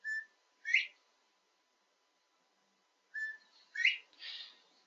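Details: Male Northern Bobwhite in Pennsylvania gives its spring call to attract females: a clear two-part whistle, a short low note then a sharp rising 'white', twice about three seconds apart.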